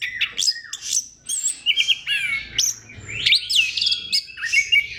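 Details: Orange-headed thrush singing to encourage other thrushes to sing, with dense, varied whistled phrases, buzzy trills and downslurred notes packed closely together in a continuous stream.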